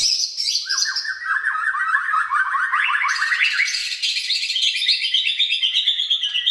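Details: Singing white-rumped shama, played to prompt other shamas to sing: a fast series of repeated rising chirps about four per second, climbing in pitch, then a dense ringing trill of high notes.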